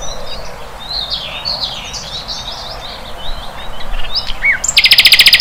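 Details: Wild flycatcher: steady high-pitched twittering of short slurred notes, closing with a rapid buzzy rattle of evenly spaced pulses.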